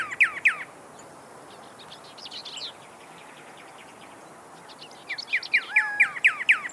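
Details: Desert cardinal singing: loud slurred downward whistles open and close the passage, repeated rapidly, with faint high chips in the quieter middle stretch.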